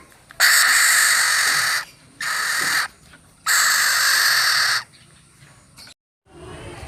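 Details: Black-naped oriole chick calling to draw in its parents: loud, harsh, hissing rasps, each lasting about one to one and a half seconds, given three times in succession.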